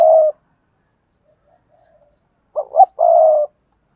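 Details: Spotted dove, Cườm Sa song style: the tail of one deep coo, a long gap, then a quick wavering double note leading into a sustained throaty coo.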